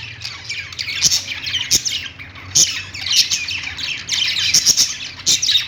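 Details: Several budgies singing together on a perch in a pet store, producing a dense mix of rapid high chirps, buzzy warbles and sharp squawks, with loud bursts scattered throughout and a faint low hum.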